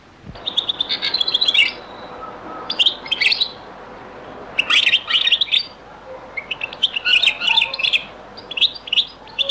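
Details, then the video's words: European goldfinch singing in the Beni Messous 'les avocats' (zaboka) style, from a very old recording: bursts of bright, jangling, twittering notes with buzzy trills, in four phrases separated by short pauses over a quiet background hiss. "تغريد - تسجيلة جد قديمة بني مسوس ليزافوكا | chant beni Messous les avocats zaboka"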